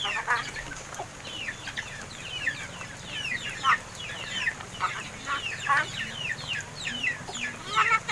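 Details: Captive crested myna birds, about seven months old and raised by hand, learning to talk; a busy run of sharp downslurred whistles and chattering notes overlaps throughout, with steady low hum behind.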